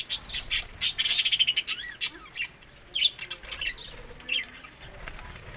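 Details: Budgerigar chatter recorded in Larkana, Sindh, while birds eat summer food in May to June; a fast run of high, rapid chirps opens, then sparser scattered tweets follow.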